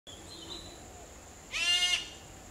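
A grey hornbill gives one harsh, nasal squeal lasting about half a second. Faint high whistles come before it, and a steady thin high hum runs throughout.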